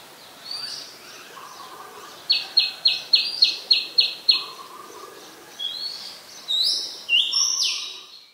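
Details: Singing Oriental magpie-robin, Ubon Ratchathani, Thailand, 17 November 2021, Nikon P1000 recording: soft lower whistles, then a quick run of seven clipped high notes, followed by varied loud rising and sliding whistled phrases in a quiet setting.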